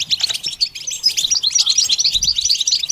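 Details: Goldfinch song used for training: dense, rapid tinkling chatter of high chirps and trills, delivered as an unbroken twittering phrase.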